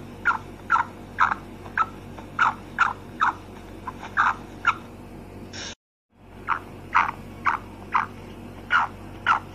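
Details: Short, sharp notes from a female black francolin, or kala teetar, repeated about twice a second in an uneven series, broken by a brief silent gap midway, with a low steady hum underneath.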